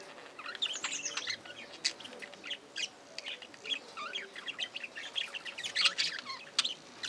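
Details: Budgerigars in an aviary fill the air with dense, overlapping high chirps, twitters and warbles, a busy flock chatter with no pauses.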